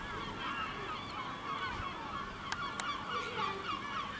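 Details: Gulls flying above a village in Ortegal at nightfall, a soft, steady chorus of wavering mewing and yelping calls, with two sharp clicks partway through.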